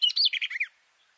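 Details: Short fragment of garden warbler (Silvia borin) song, bird inside a bush with microphones two meters below: a quick tumbling phrase of bright notes falling in pitch, ending abruptly.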